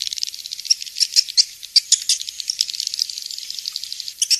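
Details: A swiftlet lure track named King's Star, used in swiftlet farming. Rapid pulsed buzzing trills run almost continuously, broken by sharper, louder chirps every half second or so.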